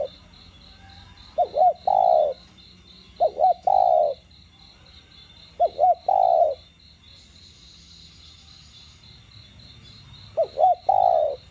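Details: Spotted dove song for stimulating caged doves to call: four separate phrases, each two quick bent hoots leading into a long, mellow, slightly falling coo, with a soft, regular high-pitched pulsing in the background.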